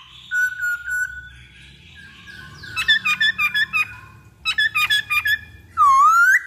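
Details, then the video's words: Black-throated laughingthrush song used as a lure: short whistled notes, then two bursts of rapid stuttering chirps, closing with a long rising whistle. "Pancingan Poksay Hongkong Paling Ampuh"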